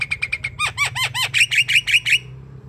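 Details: Insistent Javan myna calling to encourage a lazy bird to sing: quick ticking notes lead into a rapid row of ringing, arched notes that grow louder before stopping abruptly.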